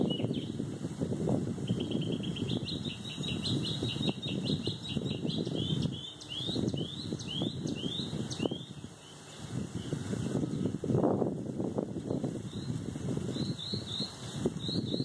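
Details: Mockingbird singing behind a steady low rumbling background: a fast run of repeated high chips, then a series of short, repeated down-slurred notes, with brief high phrases returning near the end.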